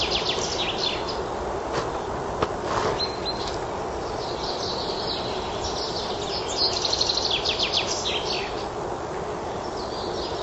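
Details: In spring woodland, a chaffinch's bright, descending song run ends in a quick flourish, set in a busy chorus of other twittering birds over steady background noise.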